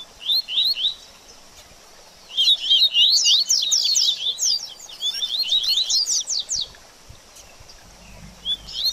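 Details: Double-collared seedeater, baderninha-style song for stimulating a bird after its moult. A short burst of high notes is followed by a pause, then a long, rapid, jumbled stream of sharp, sweeping whistles that fades at the end.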